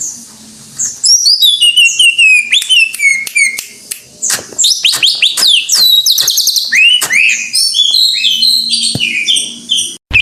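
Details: Greater green leafbird, locally cucak ijo, singing in full vigorous gacor style: a rapid varied stream of high clear whistles, slurred descending notes and sharp chirps, with dense overlapping phrases near the end and a faint low hum beneath.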